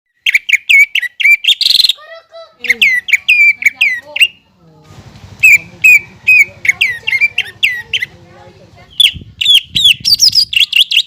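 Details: A captive greater green leafbird in full, lively song, loud whistled notes sliding up and down in quick bursts, broken by softer lower warbles and a short pause before the bright phrases return.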